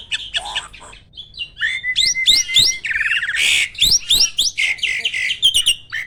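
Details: Champion caged starling sings a fast, loud 'tembakan' performance: a run of quick rising whistles over a steady tone, then a harsh rasping burst and further chattering whistled notes.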